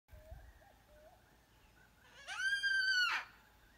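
An Eastern whipbird gives a loud, sustained whistle lasting nearly a second, ending in a sharp whip-crack. A few faint, short notes come before it.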